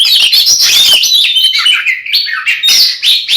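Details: Oriental magpie-robin in fighting song aimed at angering another male: a dense, continuous stream of rapid chirps, whistles and harsh buzzing notes with hardly a break.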